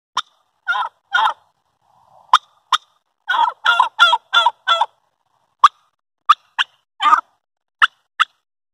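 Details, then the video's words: Turkey hen, a talkative bird, calling in the morning: short raspy yelps in small clusters mixed with sharp single clucks, irregularly spaced over the clip, with quiet gaps between bursts. "Turkey talk"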